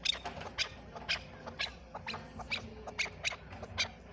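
A chukar gives harsh, squeaky chipping notes, repeated about twice a second in a broken series, over faint background hiss.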